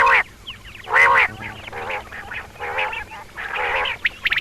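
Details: Female common quail (Batair) giving its so-called double call: short nasal, harmonic bursts spaced unevenly about once a second, with one louder burst near the middle and faint clicks at the end.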